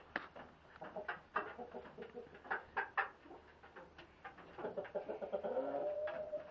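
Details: Trio of two-year-old Barred Rock hens, which hatched out peacocks this spring, making a run of short soft clucks in quick uneven succession, then a longer drawn-out harmonic call near the end.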